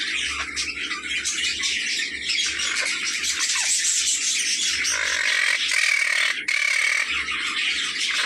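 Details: An adult breeding pair of monk parakeets, about two years old, in a home aviary squawk in harsh, grating bursts, the female calling more than the male, over other chattering cage birds and a faint low hum.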